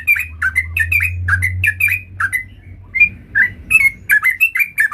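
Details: Sooty-headed bulbul singing in a lively, varied manner: bright chirped notes repeated in quick irregular succession, each with a short upward or downward slide, over a faint low hum.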